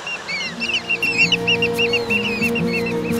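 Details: A timid Sooty Oystercatcher, an Australian shorebird, gives a rapid run of shrill, arched piping notes, about three per second, the peeping it makes when approached, over steady background music.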